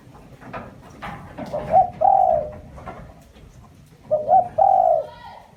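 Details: Decoy spotted dove calling: two short rising hoots and a sustained mellow coo, the phrase repeated twice over faint background rustle and scattered clicks.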